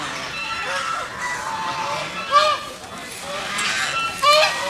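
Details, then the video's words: Geese swimming in a pond and calling: two short, harsh, nasal honks stand out about two seconds apart over a steady noisy background hum. "Goose Sounds ।। Goose Call । Goose birds swimming and making noise in the pond."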